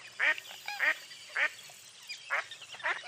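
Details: Several rough nasal quacks from a mottled duck, spaced about half a second apart with a pause in the middle, over low background hum.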